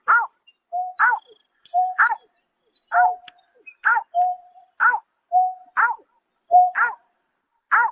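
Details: Greater painted-snipe at night in March 2024: a steady series of short, downward-curving, nasal notes, roughly one per second, some preceded by brief flat hoots, in a quiet background.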